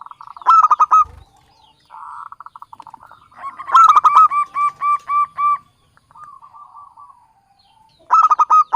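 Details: Zebra dove, local Javanese bird, singing a trapping lure song: bursts of loud, sharp coo notes alternate with quieter rattling purrs, with a regular run of evenly spaced notes in the middle.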